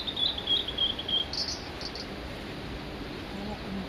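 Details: On Mount Migita a male Blue-and-white Flycatcher sings a run of clear, high whistled notes for over a second, then closes with a short, harsh buzzy burst; quiet hiss follows.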